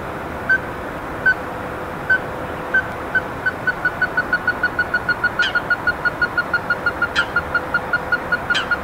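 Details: Ruddy-breasted crake, heard but not seen, recorded 26 March 2021, gives hard, knocking 'kyot' notes, slow at first, then speeding into a steady rapid run, with a faint low hum and a few soft clicks behind.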